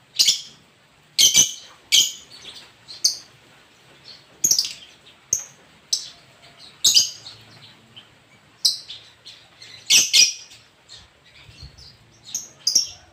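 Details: Lobert singing, described as very melodious: short bright high chirps and whistled notes in bursts about once or twice a second, with brief quiet gaps between phrases.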